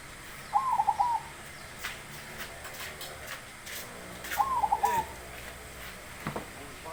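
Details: Two rolling, trilled coo phrases from a zebra dove noted for its big voice, roughly four seconds apart. Scattered sharp taps and knocks sound between them.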